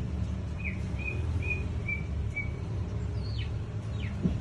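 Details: Captive greater green leafbird on day 15, given no fruit for 2 days and full feed for 4, giving five clear, evenly spaced whistles, then two quick downslurred notes, over a steady low rumble.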